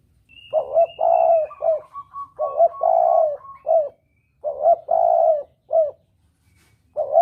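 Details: Repeated spotted dove cooing used to lure birds for hunting: the three-part phrase of short note, long coo and clipped end comes about every two seconds, clear against a quiet background.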